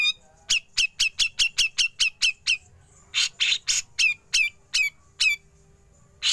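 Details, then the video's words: Training recording of a Grey-cheeked bulbul: a fast, regular string of piercing high chips, then loud grating besetan rasps mixed with sharp downslurred notes, ending with one more harsh burst. "Besetan Cucak Jenggot Lanjut Ngepik"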